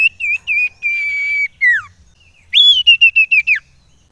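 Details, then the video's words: Common iora call used as a lure to excite other ioras: a series of clear, slightly wavering whistles, then a long steady whistle and a falling slurred note. After a pause comes a bright whistle broken into quick repeated pulses. "Suara CIPOW / Cipoh Sangat AMPUH Menaikan EMOSI SIRTU APAPUN."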